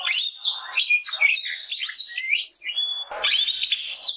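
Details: High twittering warble of a domestic canary, Gloster or Yorkshire breed, with rapid slurred notes, a thin pure whistle and a sharp upswept note near the end.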